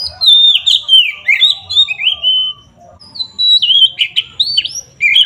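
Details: Oriental magpie-robin singing loudly in the 'ngeplong' style, meant to make rival birds angry: fluid descending whistles and chattering notes in two quick phrases with a short pause between them.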